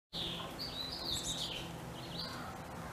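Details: A baby chickadee fledgling in spring, waking itself up and calling to its mother, gives high, thin, wavering dee-dee calls in a near-continuous run, with a low steady hum underneath.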